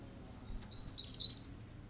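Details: Cinereous tit singing in rapid bursts to provoke other birds into calling: a short cluster of sharp, very high chirped notes packed into about half a second after a quiet start.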